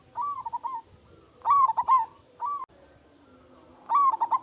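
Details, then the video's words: Local zebra dove singing energetically with a big voice, a lure to set other doves off: quick bubbling coo phrases, loud and soft in turn, five phrases within about four seconds. "Perkutut Lokal Gacor Suara Besar"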